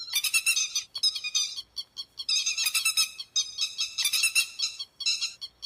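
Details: Lure recording of grey-headed lapwing for night net trapping, with harsh, rasping call bursts in quick succession, each a rattle of rapid notes, separated by brief pauses, continuous and loud throughout.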